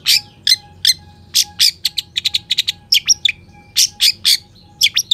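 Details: Long-tailed shrike singing actively with a full repertoire of sharp notes, meant to provoke and teach other shrikes: rapid bursts of scratchy high chirps and clipped notes in quick clusters, a faint steady tone beneath.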